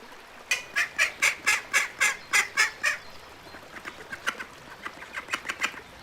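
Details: Ducks calling in a fast, even run of sharp, bright notes, about four a second for three seconds, then a quieter, looser string of similar calls.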